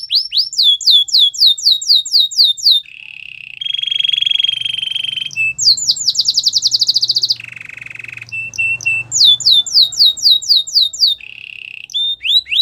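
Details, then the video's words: Training song of a white canary: cycles of repeated downward-slurred whistles alternating with sustained buzzy rolls and fast rattling trills, varied tours following one another without pause. "White canary singing | The best canary training song"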